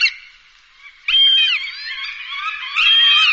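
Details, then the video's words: Hawk sound used for dispersing birds: harsh, high, ringing screams that slur downward, two loud bursts about two seconds apart with a quieter raspy stretch between them. "HAWK. The sound of a hawk."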